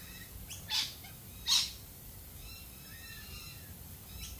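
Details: Australian galah producing two sharp, loud, raspy shrieks about three-quarters of a second apart, with faint thin chirps from other birds trailing afterward.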